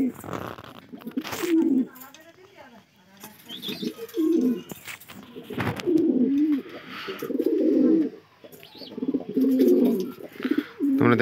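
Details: A male domestic pigeon, described as very angry, gives loud, throaty cooing phrases repeated in bursts every second or two, inside a loft at feeding time, on a morning when wheat and mustard seed are fed.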